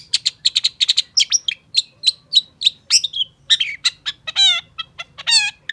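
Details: Singing Long-tailed shrike, recorded as a lure for shrikes that have stopped singing: quick repeated scratchy chips, whistled slurs and several long, nasal, wavering squeals among the rapid notes.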